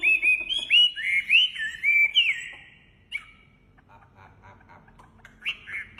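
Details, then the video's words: Wambi bird singing a quick burst of bright, sweeping whistles for about two seconds, then near silence broken by a single note and a short final whistle. "Suara Khas Burung Wambi Gacor Enak Suaranya"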